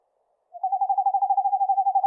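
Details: Eastern screech owl (Megascops asio) starting a quick, evenly pulsed trill after half a second of silence. The trill holds one steady low pitch and is heard in clean isolation.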